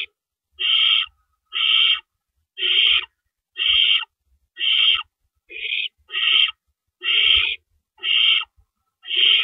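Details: Owl nest before dawn on April 4, 2012, adults delivering rabbits as food. Around ten harsh, hissing screeches follow at a fairly steady pace of about one per second, separated by silence and faint tapping.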